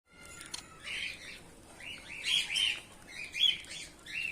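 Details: Bengalese finches, white birds in a colony of males and females, giving short chirping calls in clustered bursts with gaps between them.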